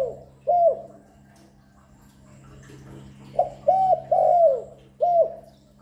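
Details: Spotted dove cooing without pause, intended to excite and draw in doves: a single coo, then a gap, then a phrase of a clipped note, a mellow coo, a long downslurred coo and a closing short one, with low background hum.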